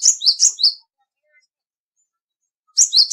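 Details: Small, agile black, white and grey cinereous tit with a loud voice: three sharp, high two-note phrases in quick succession, a pause, then the same two-note phrase starts again.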